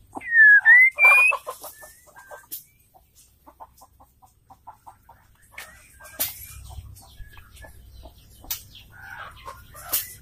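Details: Female white-rumped shama call, used to provoke males into singing, opens with two loud whistled notes that dip then rise. Soft clicks and ticking follow, with low rumbling noise in the second half.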